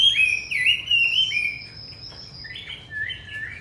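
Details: Caged Hanoi hwamei, Vietnam, with a fine forest-type voice, gives looping whistled phrases, then a quieter lull before a fresh burst of clear rising-and-falling notes.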